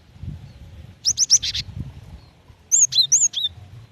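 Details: Female cinereous tit calling a male: a quick burst of four rasping, high notes, a pause, then four clearer, falling chirps, with a soft low rumble throughout.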